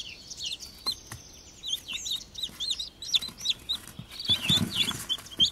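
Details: Chicken chicks with their mother hen: a busy stream of high, short down-slurred peeps, some overlapping from several chicks, with a brief rustling burst near the end.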